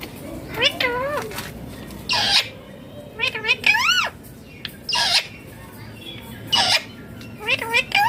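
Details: Indian ringneck parakeet calling loudly: repeated harsh squawks and wavering, bending chirps with strong harmonics, delivered in irregular bursts roughly every one to two seconds over faint background noise.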